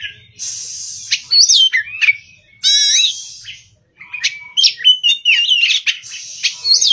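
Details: Oriental magpie-robin in morning song: bright whistled slides mixed with harsh, buzzy notes and warbled trills, grouped in energetic phrases separated by short silences.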